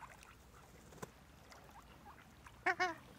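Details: A ruddy shelduck at Zbiljsko Lake on 28 November 2023 gives two loud, nasal, honking calls in quick succession near the end, after a few faint, scattered sounds and a single sharp click.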